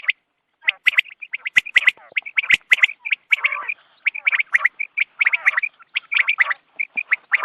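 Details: Dawn quail calling used by hunters: a dense, busy stream of scratchy chattering notes and short high chirps, roughly one burst per second, with several overlapping callers and occasional sharp clicks.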